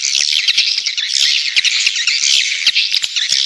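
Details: Swiftlet calling sound used to attract nesting birds, heard as a thick, high, squawking twitter from many birds at once, with slight swells in loudness roughly once a second and faint clicks beneath.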